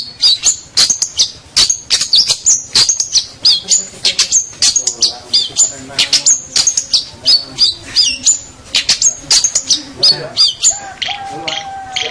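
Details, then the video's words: Local champion long-tailed shrike gives a long tutor song of rapid, high, sharply clipped chirps and harsh chatter, delivered almost without pause. "Kicau Masteran Cendet Master Pentet Juara Cendet Lokal Oke"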